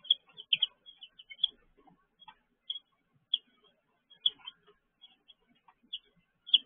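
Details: Baby chicks in their brooder, giving short, high, sharp peeps in scattered bursts with brief silent gaps between them, the peeps sometimes doubled or tripled in quick succession.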